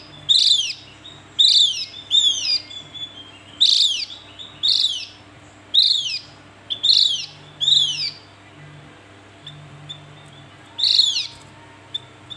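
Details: Javan grey-throated white-eye calling: sharp, high, downslurred chirps, about ten notes in irregular bursts, some in quick pairs with gaps of a second or more; a faint steady low hum underneath.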